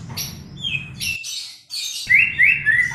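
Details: White-rumped shama song used as a lure to coax a reluctant bird into singing: short bright whistled phrases and rising slurred notes broken by a brief pause, with scratchy high chatter and a low background hum.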